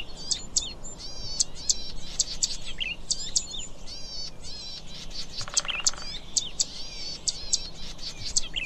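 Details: Zitting cisticola with sharp, high clicking notes repeated in quick pairs, set among dense twittering and wavy high-pitched phrases from other birds, and a brief buzzy harmonic burst midway.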